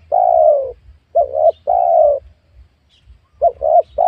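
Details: Spotted dove at a young oil palm plot where wild doves are lured: long mellow coos alternating with quick paired coos, repeated several times in close succession.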